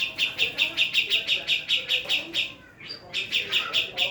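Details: Female black-throated laughingthrush, Javan type, giving a rapid string of sharp, bright chips, about two or three per second, evenly spaced. The chips break briefly near the end, then resume, over faint low background murmur.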